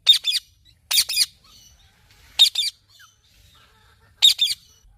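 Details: Four bursts of raspy double squawks from a parrot, spaced one to two seconds apart, separated by soft low chatter.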